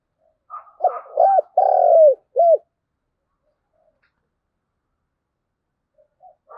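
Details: Spotted dove, thúc gù style in thổ đồng voice, used as a lure for wild doves to answer; a loud cluster of four deep, hollow coos early on, then long quiet with a few faint coos at the end.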